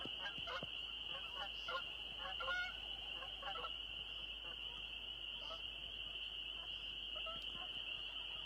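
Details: Canada geese in a soggy New Hampshire meadow at dusk on May 3, 2020, giving scattered nasal honks in irregular bursts, several in the first three seconds, over a steady high insect-like drone and faint background noise.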